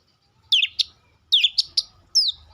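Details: Oriental magpie-robin uttering short bursts of sharp, scratchy chirps and a descending whistle, separated by brief silences, in a song claimed to get other magpie-robins to respond.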